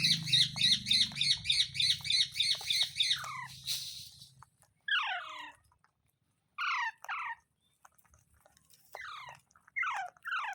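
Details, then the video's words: Parrot opening with a fast, even series of buzzy repeated notes over a low hum, then switching to separate loud downward-sliding screeches at intervals of one to two seconds. "Parrot Sounds Videos Compilation | Mitthu Mitthu Parrot Sounds | मिट्ठू मिट्ठू |Funny parrot sound"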